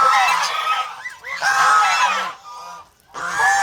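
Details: Domestic farm geese of a protective flock in the Philippines give three loud harsh honking bursts, each about a second long, separated by short quiet gaps.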